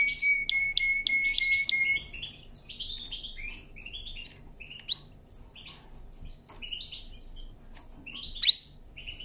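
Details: Canary singing for training: a sustained whistled note with fast overtone pulses, followed by scattered varied chirps and a sharp bright note near the end.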